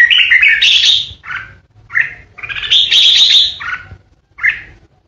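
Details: Caged red-whiskered bulbul used as a decoy for fighting-song birds, singing loud 'ché' phrases: bright warbled whistles running into a long harsh scratchy burst, then two short chirped notes, low hum underneath.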